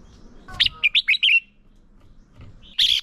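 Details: Decoy red-whiskered bulbul in competitive song used for training other birds: a quick run of four or five clear, bouncing warbled notes, then a short pause and a harsher, noisier burst at the end.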